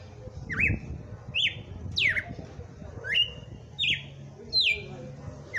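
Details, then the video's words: Red-cowled cardinal singing on Christmas Day, six clear high whistled notes, each a quick swooping slur, about one per second, over a faint low hum. "Galo de campina FENRIR cantando e batendo fogo."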